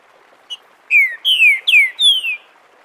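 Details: Green-winged saltator singing the "Bom dia seu Chico liso" dialect, a crystalline song recorded live for teaching young birds: a faint short note, then four loud clear whistles, each sliding downward, the last one longer.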